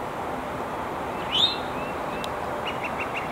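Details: Eastern towhee (Pipilo erythrophthalmus) calling from an exposed perch in Montoursville, Pennsylvania, on 9 April 2021: a single quick, rising, slurred call over a steady background hiss, followed by a faint run of short chips.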